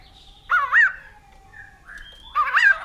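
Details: Two short bursts of hoarse, wavering notes from a white-crested laughingthrush, separated by a low steady hum and a thin drawn-out tone.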